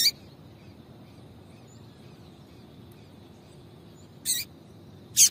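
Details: Female yellow-bellied seedeater calling a lot to stimulate the male: a sharp, high chip at the start, then two more harsh chips spaced about a second apart near the end, over faint steady hiss.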